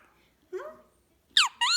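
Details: Pet Recessive Pied ring-necked parakeet talking indoors at night, answering an owner who speaks of cuddles and tickles: a soft rising voiced syllable, then two loud, shrill, squeaky speech-like notes at the end.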